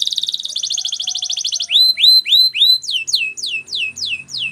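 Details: Canary training song, bright and high-pitched: a rapid rattling roll, then evenly spaced rising-and-falling whistled notes repeated about three times a second, ending in sharply descending slurred notes.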